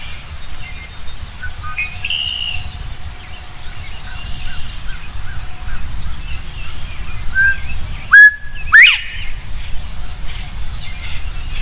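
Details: Northern bobwhite giving a single loud whistled call late on: a short clear note followed by a sharply rising slurred whistle, over steady low rumbling background noise and faint distant chirps.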